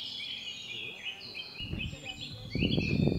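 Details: House sparrows at Aguas Calientes, Potosí, Bolivia, in April 2023, give a steady stream of overlapping high chirps. Low rumbling noise and murmured voices grow louder in the second half.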